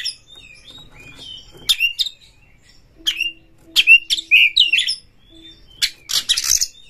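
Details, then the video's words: White-rumped shama (kacer) kept in a cage, song meant to stir other birds into singing; bursts of sharp chips and warbled whistles with short pauses, plus a faint steady hum in the background. "Pancingan Kacer ini dapat Mendongkrak EMOSI PANCINGAN KACER TOP BUKA EKOR"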